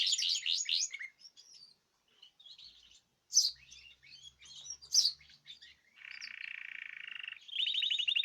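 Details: Caged birds in group song, recorded 14 March 2026: a rapid high trill, scattered thin chirps and sharp notes, then a long buzzy rattle and a closing fast trill.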